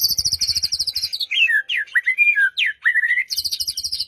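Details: White-rumped shama song used as a lure to get a silent bird singing, for morning or afternoon play; a rapid, high, buzzy pulsed trill gives way to loud slurred whistles that rise and fall, then the fast trill resumes.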